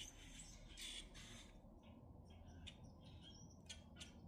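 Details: Minnesota grackles giving harsh squawks with a brief whistled squeak, followed by quieter clicks and rasps, over a low rumble.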